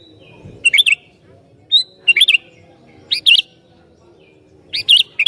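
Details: Sooty-headed bulbul that provokes other bulbuls, giving short rich warbled phrases of looping whistled notes, repeated about every second, over a faint low background hum.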